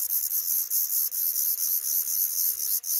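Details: Black redstart nest with five chicks, built by a pair in a small nook under the roof right above a regularly used front door; dense, hissing high-pitched calls run almost continuously, with brief dips in loudness.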